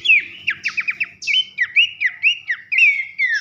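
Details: Horsfield's babbler (pelanduk semak) singing loud 'nembak nyiul' whistles, a masteran recording for training contest songbirds: a rapid burst of short descending notes, then clear rising-and-falling whistled phrases repeated about every half second.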